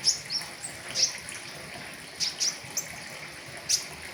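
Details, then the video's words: Flowerpecker song for tutoring caged birds, 'riwikan' full-filler style: sparse, sharp, very high ticks and chips spaced irregularly, some in close pairs, with faint hiss between them. "Terapi pentis raja riwikan full isian , cocok buat masteran"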